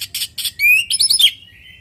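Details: Orange-headed thrush singing naturally as a lure for other thrushes to reply and join in. Three buzzy rasping notes come first, then a clear rising whistle into a rapid, rich warbled flourish that fades away.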